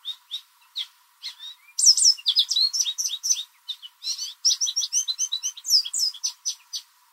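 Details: In a backyard in spring, an American goldfinch gives a loud mating song of varied short chirps, starting with scattered single notes, then breaking into fast, dense twittering phrases with only brief gaps.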